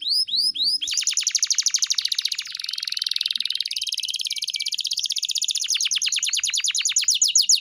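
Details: Canary song used as a training tutor for pet birds: a few quick swept whistles open into a long, rapid rattling trill, harsher and buzzier in the middle with a steady whistled tone laid over it, then clearer fast trilling to the end.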